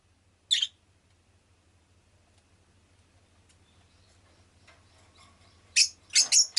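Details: Rosy-faced lovebird kept as a pet, one sharp high chirp early, then a quiet stretch with faint rustling and a low hum, ending in a quick burst of three or four shrill chirps.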